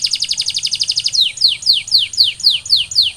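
A canary sings a fast, high trill of about a dozen rapid notes, then shifts to a run of loud descending whistled sweeps, each about a quarter-second apart.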